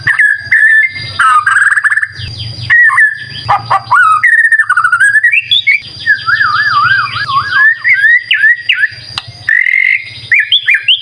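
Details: Loud lure song of a white-rumped shama: long sustained whistles, a warbling wavering phrase, sharp downward slurs and scattered chips, over a faint low hum.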